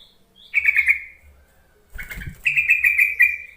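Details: Yellow-vented bulbul calling to draw out reluctant bulbuls: a bubbly trilled phrase, a burst of rustling noise, then a longer rapid chattering trill.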